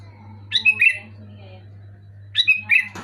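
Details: Loud Sooty-headed bulbul phrases meant to make a lazy pet bulbul sing. Two bursts of two or three quick, rich whistled notes sliding downward, separated by a pause of nearly two seconds, over a low hum.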